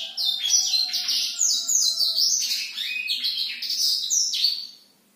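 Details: Black-throated canary singing at night, a rapid unbroken high warble of buzzy trills and whistled slurs, steady and energetic, fading out at the end, a faint low hum beneath.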